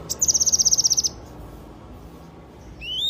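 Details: A lively Yellow-eared spiderhunter gives one second of fast, evenly spaced high chipping trill. A pause follows, then a sharp rising whistle at the end.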